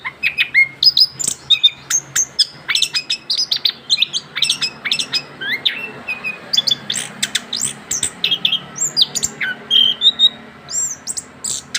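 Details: Orange-headed thrush, a young bird after moulting, sings continuously in the ngerol style, pouring out dense high chirps, short whistles and quick slurred phrases with only brief gaps.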